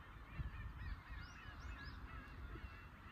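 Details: Black-tailed Gulls crying together at a fishing port in Imabetsu, Aomori, Japan; short arched mews overlap constantly above lapping waves.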